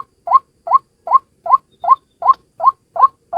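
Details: A single White-breasted Waterhen on a lure recording: a steady series of short, rising, nasal notes, about two and a half per second, each sweeping upward and ending abruptly, with no other clear sounds.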